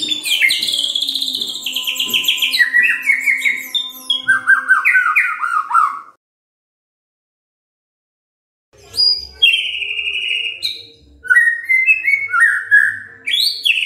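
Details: White-rumped shama song meant to stir other shamas into full song: dense, rapid, varied warbles and whistles, with scratchy and sweet notes, in two long bursts around a silent gap, over a faint low hum.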